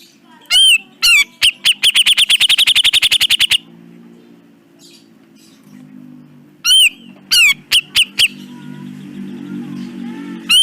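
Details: Grey-cheeked bulbul, a training track for cage birds: loud slurred whistles, then a quick rattling chatter of clipped notes, a pause with low background hum, and more whistled notes and chirps.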